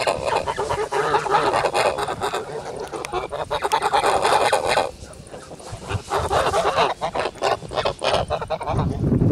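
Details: Kholmogory geese kept on a farm, recorded 10 August 2017, keep up dense, overlapping nasal honks in a loud, busy stretch that drops briefly to a quieter pause midway.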